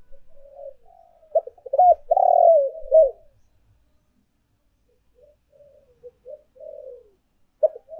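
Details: Spotted dove, lure recording of urging and calling coos: one loud, hoarse phrase of quick notes and a long burred coo, followed by scattered soft, low cooing and a new phrase starting.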